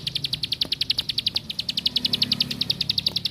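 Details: Plain prinia delivering a rapid string of bright, high, evenly repeated chips, roughly three and a half per second, with a soft low hum underneath.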